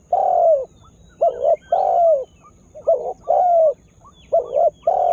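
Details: Lure spotted dove, freshly calling with energy to rile wild birds; loud, evenly spaced hollow coos alternating short doubled notes with longer down-slurred ones, with faint high chirps in the background.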